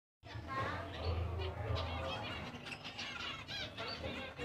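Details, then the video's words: A dense chorus of zebra finches giving nasal, toy-trumpet-like beeps, many overlapping rapidly, over a steady low hum. "burung emprit zebra - suara burung di alam liar"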